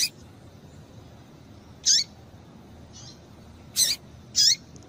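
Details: Calls of a female double-collared seedeater, played to get males excited and singing: short high chirps with brief downward tails, one at the start, then three more clustered near the end, with a faint soft note between.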